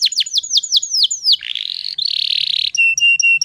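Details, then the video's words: Female canary lure song to provoke males into singing: a string of falling sweeps, then a buzzy rolled trill and a series of short steady whistled notes. "PANCINGAN KENARI BAHAN TERBARU PASI BIKIN GACORR"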